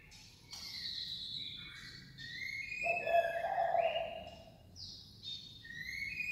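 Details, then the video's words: White-rumped shama song of many varied tones: overlapping clear whistled phrases, some steady and some sliding up or down, with a lower, warbled passage in the middle and a constant low background hum. "CHÒE LỬA HÓT KÍCH NỔI NHIỀU DỌNG"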